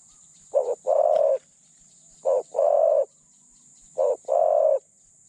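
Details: Spotted dove decoy kept to lure wild doves repeats its mellow two-part coo three times, about every 1.7 seconds: a clipped opening note and then a longer, even hoot, with a faint continuous hiss behind.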